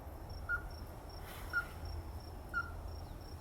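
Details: A ruddy-breasted crake gives three clipped, knocking notes, each about a second apart, against a faint high continuous tone and low-pitched ambient noise.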